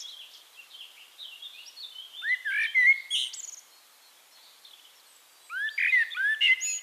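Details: Eurasian blackbird in Castricum, the Netherlands, singing more distantly: faint high twittering at first, then a louder phrase of fluted swooping notes, silence for about two seconds, and another downward-slurred whistled phrase.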